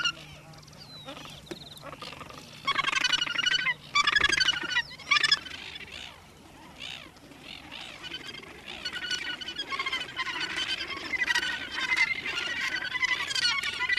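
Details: Australasian gannet walking in New Zealand, recorded 9 December 2013; overlapping harsh, honking, rattling calls, louder between three and five seconds, then a continuous busy chatter of grating notes to the end over a faint low hum.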